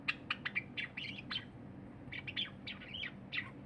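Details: Cinnamon Java sparrow singing indoors while a silver Java sparrow eats nearby; short chirpy notes in two bursts, with sharp ticks and slurred twittering phrases.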